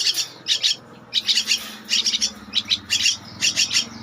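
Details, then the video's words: A two-week-old Javan myna chick calls in short clusters of scratchy, buzzy begging notes, roughly two to three per cluster, over a steady low background hum. "Anakan Burung Jalak Kebo-_Umur 2 minggu"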